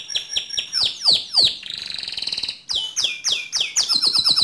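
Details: Canary song to trigger another canary's singing: repeated downslurred whistles, a brief buzzy roll, then quicker slurred notes ending in a fast high trill.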